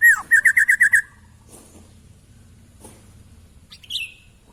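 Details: Sooty-headed bulbul in lively song, a bird noted for mimicking nearby songbirds: a downward-sliding whistle, then six quick bright notes in under a second, followed by near silence with a few faint chirps.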